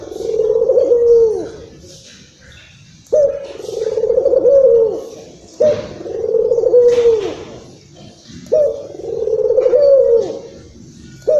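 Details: Agitated Indonesian local Barbary dove, a lure call for other doves, giving four drawn-out purring coos, each rolling then dipping down, separated by short pauses of a second or so.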